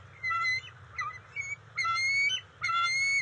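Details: Bald eagle at the NCTC nest on June 27, 2021, the resident female delivering fish to the eaglets; five bursts of high, clear piping calls with ringing overtones, separated by short pauses over a steady low hum.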